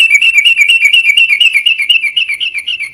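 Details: Yellow-vented bulbul song: a continuous run of quick, bright whistled notes, evenly pitched and repeated roughly twice a second, clear and close with no other sounds.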